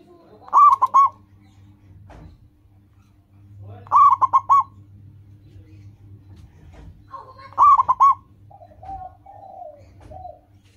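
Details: Local zebra dove singing vigorously, used to train caged doves to sing quickly. Trilling coo phrases repeat about every three and a half seconds. Softer lower warbling calls follow the last phrase.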